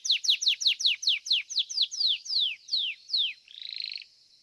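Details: Domestic Belgian canary singing at a seventh-edition singing competition, fibra song style: about twelve high, clear whistled notes each sweeping steeply downward, repeated rapidly and slowing slightly, then ending in a short buzzy, rattling trill held at one pitch.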